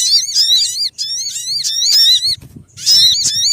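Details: {'text': 'Sogon lure call for trapping: loud, continuous runs of wavering whistled notes swooping up and down, in two long bursts split by a brief quieter gap with a soft low thump.'}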